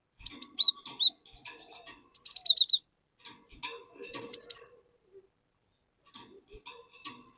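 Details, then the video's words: Cinereous tit singing loudly to prompt untrained tits to join in: several phrases of rapid, high whistled notes, some dropping to lower slurred tones, with quieter twitters between phrases. "Burung Glatik Gacor Memancing Glatik Bahan Agar Ikutan Gacor Ngeplong"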